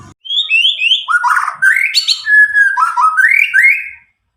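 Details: White-rumped shama of the Medan type, about nine months old and newly out of spotted plumage, singing without recorded tutoring; a continuous string of bright slurred whistles stepping up and down, ending in silence.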